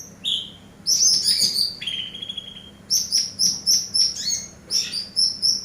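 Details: High, rapid chirping from a Eurasian tree sparrow, kept as training master song: quick bursts of bright twittering notes with a brief lower buzzy trill in the middle, then clear repeated chirps.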